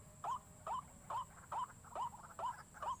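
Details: White-breasted waterhen call used as a lure to make waterhens panic: a fast series of short, hooked, rising notes, about seven in three seconds, each a sharp nasal yelp repeated steadily over faint low background rumble.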